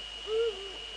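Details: Eurasian eagle-owl pair in the Netherlands, evening of 2 February 2013, female at the nest and male nearby; a single low, brief hoot, slightly rising then falling, over a constant high hum.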